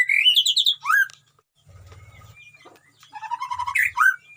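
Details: White-rumped shama (murai batu) from a colony cage, where wild birds nearby supply mimicked sounds; a rapid rising trill, a brief gap with faint low rumble, then a quick stuttered series and sharp whistles.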